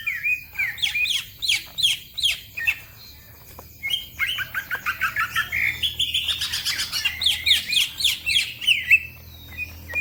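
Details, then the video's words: Green leafbird, or cucak ijo, singing energetically as a training recording for other birds: clusters of sharp falling chirps, a pause, then a dense burst of high trills and twitters running several seconds. "The green cucak bird makes noise, other birds also become gacor"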